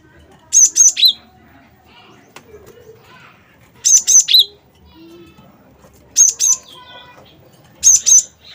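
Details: Gelatik batu of the wingko type, played to lure other birds into singing; short bursts of sharp, very high two- or three-note notes, repeated roughly every two to three seconds over quiet background.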